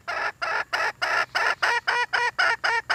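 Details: Red junglefowl hen calling in a steady run of about ten harsh, clipped notes, evenly spaced at roughly four per second. The later notes carry a faint ringing, bending overtone.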